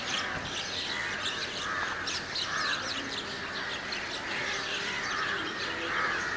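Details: A chorus of house crows (Corvus splendens) and large-billed crows (Corvus macrorhynchos) at Valparai: many harsh, overlapping, rough mid-pitched caws keep up without a break over a faint outdoor hiss.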